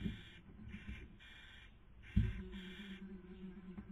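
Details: Barn owls filmed by webcam in Cabañeros National Park, Spain, 2020 breeding season, female feeding as male tries to sleep; several wheezy hisses follow one another, broken by a sharp thud and a low droning hum.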